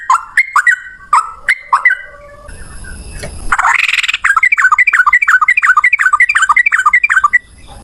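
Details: Yellow-vented bulbul giving ropel song, a long single-breath outpouring, loudly. A few separate chirps and a rushing noise come first, then a fast, even chain of bubbly rising notes runs for over three seconds.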